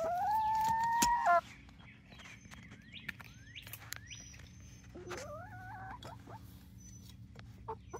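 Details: Barred Rock and Gold Star chickens, 19 weeks old, near Iola, Texas: a loud, steady, drawn-out tonal call opens, followed by quieter wavering calls and thin, high chirps from small birds in the background.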